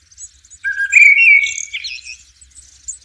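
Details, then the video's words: Blackbird in nature with one long flowing phrase: a low fluted note, then a brighter sustained whistle curving upward into a thin scratchy twitter; faint high chirps behind. "sounds of the Blackbird bird in nature"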